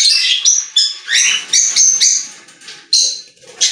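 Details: In a pet store, budgerigars sing short squeaky phrases with clear whistled notes and quick chirps, pulsing roughly every half second, mixed with softer chatter.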